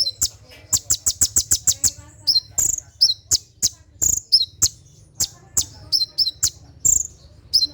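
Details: Konin sunbird at night producing 'tembakan' song for conditioning caged birds: an opening burst of evenly spaced, rapid high clicks, then a mix of sharp chips and downward-slurred double notes.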